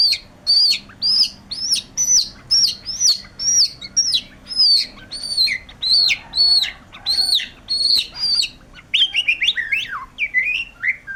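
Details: White-rumped shama (murai batu) in gacor form, singing energetically without pause: loud, high whistled and chirping phrases repeated about twice a second, breaking near the end into quicker, varied twittering notes over a faint low hum.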